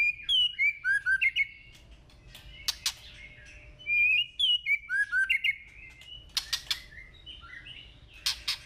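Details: White-rumped shama singing in the forest-voice style. Short whistled phrases of sliding notes repeat twice, with sharp clicks and taps between them and a low hum underneath.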